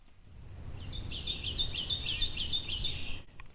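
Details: A male Kentucky Warbler sings a fast, rolling run of about eight rich two-note phrases, churry-churry, over low wind rumble and a faint steady insect hum, on a spring morning along a road leading to an equestrian trail.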